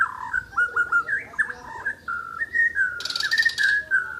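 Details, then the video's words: Asian brown flycatcher singing: a continuous warbling stream of mid-pitched whistled notes, wavering and looping, with a short burst of hissing noise near the end. "Burung mure bordan gacor"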